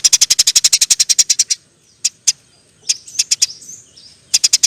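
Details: Eurasian tree sparrow in energetic song. A long machine-gun string of about sixteen shrill chirps opens, then sparse scattered chirps follow and a final quick cluster ends the passage.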